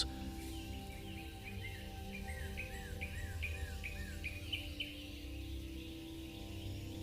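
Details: A hungry, newly hatched Common Nightjar chick on exposed ground begs with a quick series of high, thin, down-slurred chirps, about three per second, as its father returns to feed it; soft background music and low hum.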